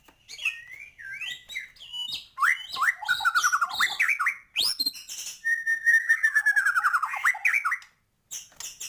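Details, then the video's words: Energetic white-rumped shama song, full of varied material and used to excite birds, with fast mixed phrases. It opens with slurred whistles, moves into rapid descending note runs and ends with a long buzzy trill before a brief pause. "Murai batu gacor,, full isian cepet naikan emosi burung"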